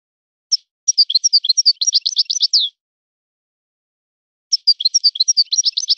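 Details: European goldfinch song in a breeder's style: a single chirp, then a two-second stream of fast, high, slurred twitters, a long silence, and a second similar twittering phrase. The background is clean.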